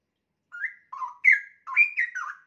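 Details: Young captive straw-headed bulbul around one year of age singing steadily: five mellow whistled notes that swoop up and down, the later ones louder and slurred together into a rolling phrase.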